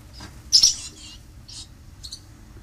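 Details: Barn swallows at the nest, with the parents carefully guarding their young: a loud, high, sharp chirp followed by three shorter twittering notes spaced about half a second apart, over a quiet low hum.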